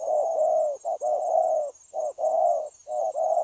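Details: Wild-caught spotted dove, recorded 9 January 2024, cooing readily in a continuous style; long mellow coos run almost without pause, broken by brief gaps, with constant faint high hiss behind.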